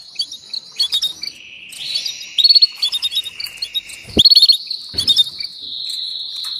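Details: Mating call of a female canary summoning a male: a steady, thin whistled tone carries through the clip while quick chirped trills break in several times, including two loud rapid rattles.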